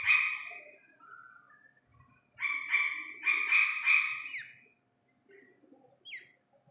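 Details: An Iranian partridge chick gives a loud opening note, softer trailing sounds, a burst of four to five strong harmonic notes ending in a rising squeak, and then a few faint thin upward chirps.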